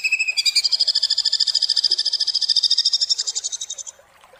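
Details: Greater green leafbird (cucak ijo) in a harsh, rapid-fire 'tembakan kasar' song style: a dense, buzzy trill of fast repeated high notes, about ten per second, holding steady for three seconds before fading out.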